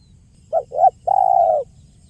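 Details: One 'kuk 1' phrase of a spotted dove used for luring birds: a short hoot, a fuller second note, a brief pause, then a long level coo fading downward, with low steady noise behind.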